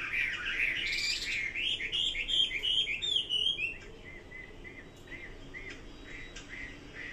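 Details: Chinese hwamei singing: a loud, rich run of varied whistled and slurred phrases for about three seconds, then quieter, spaced short whistled notes repeated at intervals over a soft background hiss.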